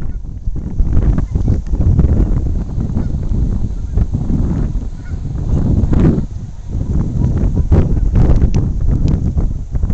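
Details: Canada geese calling on the Saskatchewan River in Saskatoon, filmed with a camcorder on a very windy day; a few distant, nasal honks show up now and then beneath constant low wind rumble.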